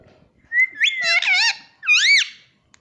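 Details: Talking pet Indian rose-ringed parakeet, which repeats the Hindi word "mummy", produces two loud, shrill, nasal voiced phrases, the first long with a whistled lead-in and wavering pitch, the second a rising-falling swoop; indoors.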